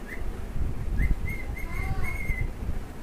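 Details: Two cockatiels singing while they play. One gives a short whistle, then a run of clear, level whistled notes, ending in a longer drawn-out note, over a steady low rumbling background.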